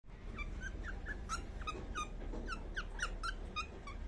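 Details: Baby cockatiel making sounds while asleep: a steady stream of soft, short chirps with downward-bending notes, repeated several times a second, over a low indoor hum.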